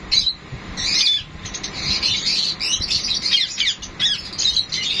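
Sun conures give harsh, scratchy squawks and chattering screeches in quick, uneven bursts while mating.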